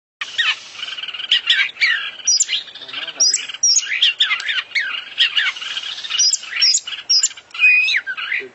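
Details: Oriental magpie-robin, an international champion singer, delivering a dense, varied song full of isian (filler phrases). Rapid whistles, slurred upsweeps and buzzy chatter follow almost without pause over the whole stretch.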